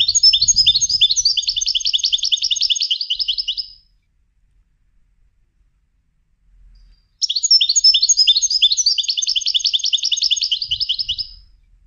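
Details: Two bursts of European goldfinch song from a bird trained for competitions, each about four seconds of fast, high, jingling twitter and buzzy trills, separated by roughly three seconds of quiet.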